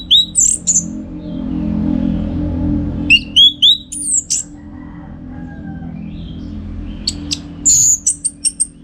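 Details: Orange-headed thrush (anis merah), Bali, recorded for song-contest training: scattered short bursts of high whistled phrases and sharp chips, separated by quieter gaps with faint background hum.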